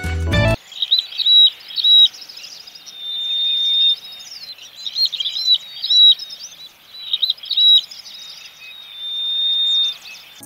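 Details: Ashy-crowned sparrow-lark in Sri Lanka, a bird of open plains with bare ground and grass, calls: bursts of high, tinkling twitters broken by long, thin, level whistles running a second or two, almost without pause.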